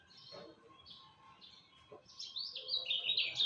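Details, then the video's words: Lemon-bellied white-eye singing at dawn: a few thin high chirps at first, then a louder, fast run of bright twittering notes that climbs in strength toward the end. "Kicau Joss Kecial Kuning Subuh"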